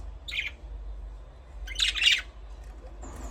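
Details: Budgerigar chirping: a short bright chirp, then a louder, busier double burst of scratchy, high chirps about one and a half seconds later, over a low steady hum.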